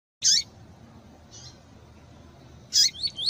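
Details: Female double-collared seedeater calls, played to stimulate a male, with male song: a sharp high burst, a faint short note, then another loud burst leading into a brief run of rapid chirps.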